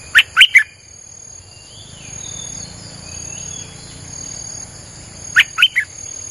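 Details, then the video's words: Lure recording of a Streak-eared bulbul: two brief bursts of three sharp, liquid chirps about five seconds apart, with a low steady buzz and faint high whine between them. "เสียงนกดอกแตงEp.159จ้าวขุนศึก สับดอกแบบไม่พัก!!ใช้เปิดล่อนกป่า Suara pikat merbah lekir"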